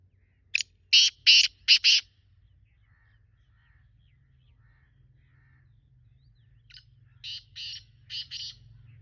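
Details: Black francolin giving its call twice: each phrase is a short sharp note followed by four loud, harsh, grating notes in quick rhythm, separated by several seconds of quiet with a faint low hum.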